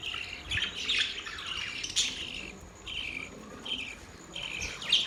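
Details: Chattering budgerigar warble: a run of scratchy chirps and short whistled notes, then evenly spaced chirp bursts about every second, ending with a louder squeaky note.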